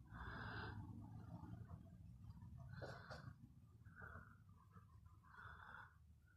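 Budgerigars give short, scratchy chirps in bursts over a steady low background rumble.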